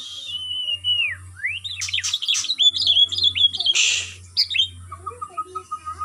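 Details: Captive white-rumped shama kept for song training with routine free-flight exercise to build stamina; varied whistled phrases with sweeping rising and falling notes, sharp chips and a harsh burst, over a low steady hum.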